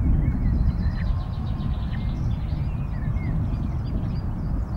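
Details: Osprey nest at Loch of the Lowes, Scotland, 22 May 2021, at feeding time with three newly hatched chicks: thin rising whistled notes and buzzy chirps scattered through the clip, over a loud low background rumble.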